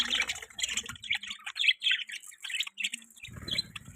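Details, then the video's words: Pet budgies chirping: rapid bursts of bright, scratchy twitters and tweets in quick succession, briefly pausing, with a low rumbling noise near the end. "Budgie chirping sounds"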